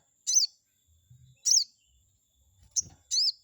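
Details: Chestnut-backed scimitar babbler, used to goad a rival: four loud, high, arched chirps spaced irregularly over a few seconds, with faint low rumbling between them.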